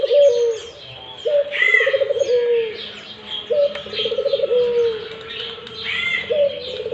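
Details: Repeated throaty coos from a Barbary dove in full voice, four phrases in quick succession, each a rising note, a trembling roll and a gently falling tail; other birds chirp and flutter in the background.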